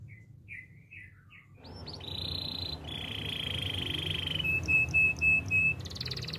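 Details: Canary song for training: soft downward chirps, then sustained flat trills and a thin steady whistle with short bursts, against a noisy low background.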